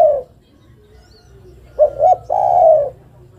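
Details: [8, 'Spotted dove female calling to the male: the tail of a croon, a pause, then two brief coos and a long resonant falling croon, over a soft low rumble.']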